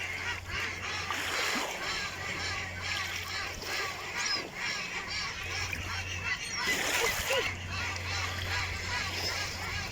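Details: Many ducks call together in a continuous chorus of harsh, overlapping nasal notes, with a faint low mechanical hum and occasional splashing.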